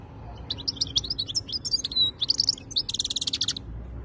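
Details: European goldfinch of the khaloui type singing in 2022: a continuous rush of high twitters and slurred whistles building into a sustained, evenly pulsed buzzy rattle before stopping abruptly.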